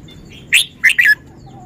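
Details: Red-whiskered bulbul delivering one short song phrase of three loud, clear whistled notes, the first higher and rising and the last two lower and rolling, against a quiet background.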